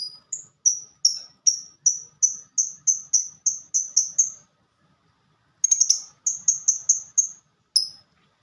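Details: 'Ngetik' (typing) song from a fighter-type lovebird: a long, even run of fast, high tick notes, a pause, then a short buzzy burst followed by more ticks.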